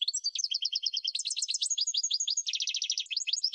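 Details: Goldfinch singing continuously in a training recording made for birds to learn song: fast, liquid twittering with rolled trills and buzzy, chattering notes run together without a break.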